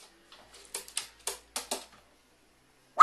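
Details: A pet carrion crow, apparently in a cheerful mood, gives a quick run of about six short, harsh, breathy 'wa' notes in just over a second in an otherwise quiet room; recorded 15 December 2019.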